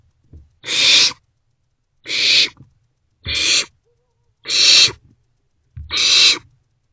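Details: Owlets of barn owl in a nest box before dawn in late March, sharing food; five harsh hissing screeches about every one and a third seconds, with soft thumps from movement.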